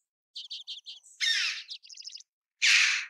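A red-billed chough gives two loud, harsh, rasping calls, each lasting about half a second. Between them come quick runs of short, high chittering notes.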